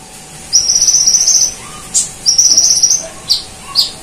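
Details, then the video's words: Kolibri ninja sunbird, highly active and singing with cililin and golden grasshopper imitations: two sustained high buzzy trills of about a second each, followed by separate sharp, piercing chip notes. "Masteran Konin Gacor Full Nembak Cililin Dan Belalang Emas"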